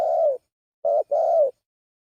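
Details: Brief spotted dove lure call with three mellow, breathy coo notes: one long, then a short note and a longer one close together, no background sound.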